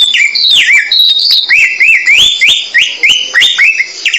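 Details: High, clear samyong bird song for masteran: bright whistled notes, a falling swoop, then a rhythmic row of rising-and-falling whistles repeated about twice a second.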